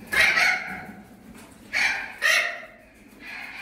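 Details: Young Spix's macaws, three to six months old, from the 2020 breeding season at a breeding centre: loud harsh grating screeches in three bursts, with room noise between.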